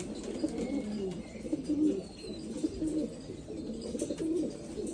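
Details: Dense, continuous cooing from several black Afghan pigeons in Afghanistan: soft, low, throaty phrases overlapping and swelling again and again.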